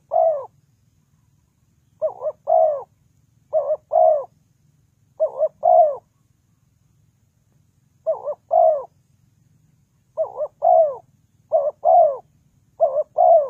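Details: Spotted dove used to lure birds into a trap, repeating its two-part coo about eight times: a rapid double note then a longer downslurred coo, in loose clusters separated by gaps of one to two seconds.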